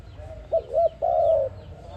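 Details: ARIMIX dove, a trapping lure call: one phrase of two short clipped hoots leading into a sustained, slowly falling coo.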